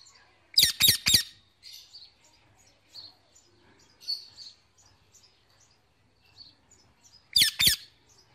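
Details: Pet male Indian ringneck parakeet calling his mates on an evening; loud, harsh screeching notes in a quick burst of three, then softer chirps, and a final pair of shrieks near the end.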